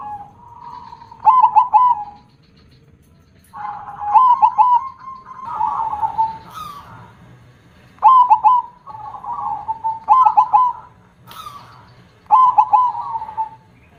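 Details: Zebra dove, a prized perkutut with a big, loud voice, gives repeated cooing song phrases: a quick stuttered opening of clipped notes, then a held trilling coo, phrases returning every two seconds or so.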